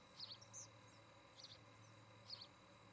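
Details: Nest-camera recording of an osprey at Charlo, Montana, on an August 2018 evening. Three brief, high, squeaky chirp bursts spaced about a second apart stand over a faint background hum.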